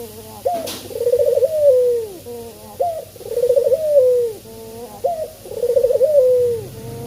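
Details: Lure cooing by a male spotted dove meant to draw song from others: three repeated phrases of abrupt note, bubbling roll and long falling tone, about two seconds apart, with a brief clatter at the start.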